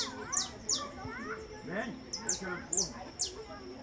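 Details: Saffron finch song, a melodious songster of the tanager family: a few bright, high, downward-slurred notes spaced about half a second apart, with lower warbling twitters and faint voices beneath.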